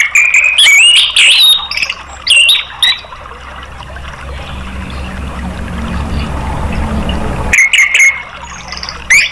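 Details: Anis merah (orange-headed thrush) bait song to coax other caged birds into song: short bright whistled and warbling phrases at the start, a long stretch of low rumbling noise, then another brief burst of whistles.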